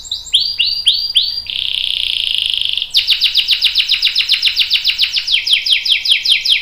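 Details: Canary giving a long roll used as a lure and tutor song for other canaries; a few swept notes, a steady buzzing roll, then rapid repeated descending whistles.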